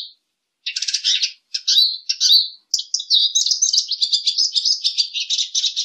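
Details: A lesser goldfinch sings: after a short note and a pause, buzzy rattling bursts and slurred whistles lead into a continuous, rapid warbling twitter of high notes.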